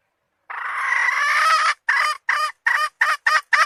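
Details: Hen cackling: a sustained rough note over a second long, then six short, fast squawks repeated several times a second, with no other sounds.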